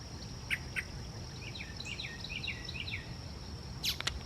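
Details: Yellow-breasted Chat singing at Iroquois Park on a dark, cloudy Wednesday morning, May 15, 2024: a quick run of about eight down-slurred whistled notes mid-phrase, a steady high insect whine throughout, and a few sharp clicks.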